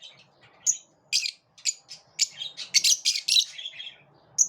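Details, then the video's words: Lovebirds chirping in the morning: a rapid series of sharp, high, buzzy chirps and squeaky notes, bunched irregularly, some overlapping in quick chattering bursts, with a quiet room behind. "Love birds chirp beautifully in the morning"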